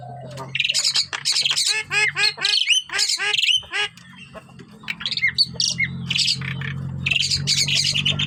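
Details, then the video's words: Javan myna singing vigorously: dense runs of squawky, scratchy notes and rapid repeated down-slurred chirps, then harsher chattering bursts, with a continuous low hum in the background. "Jalak kebo gacor"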